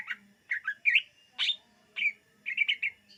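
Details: Greater green leafbird song for attracting birds: short phrases of clear chirping whistles, some rising, given in spaced bursts about every half second, with a low faint hum beneath.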